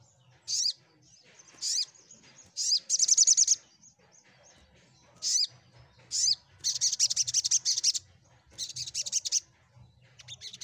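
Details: Sunbird, known locally as sogok ontong, singing to coax silent birds into answering. Sharp high chirps at irregular intervals alternate with fast buzzy trill bursts, with a faint low hum underneath.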